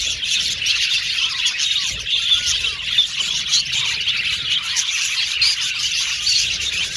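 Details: Male blue budgerigars kept in an aviary colony chatter together: a steady wall of bright, overlapping chirps and squeaky warbles from a crowd of birds, with no pauses.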